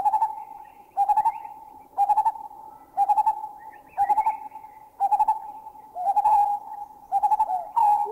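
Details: Lineated barbets in Thailand, one giving the bubbling call before another joins with the double note call: hollow, mellow hooting bursts on one steady pitch, each a quick run of notes, repeating about once per second.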